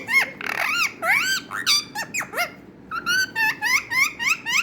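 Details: Talking parrot chattering almost nonstop in squeaky, arching notes, then a quick regular string of rising harmonic chirps, about two per second.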